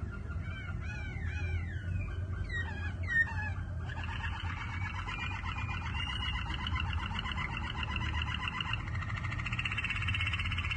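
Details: Yellow Waterslager canary singing: a run of short slurred whistles rising and falling, then long rolling, bubbling trills held at a middle pitch, over a steady low rumble.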